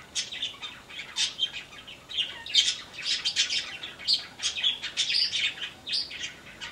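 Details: Yellow-crowned parakeets in an aviary giving rapid, high, chattering squeaks and chirps in quick irregular bursts that run on without pause.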